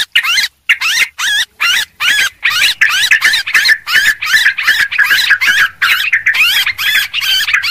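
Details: Noisy Sooty-headed bulbul calling used as a bird lure: a rapid string of short, bouncing, slurred notes, about two or three per second, nearly continuous after a pause at the start.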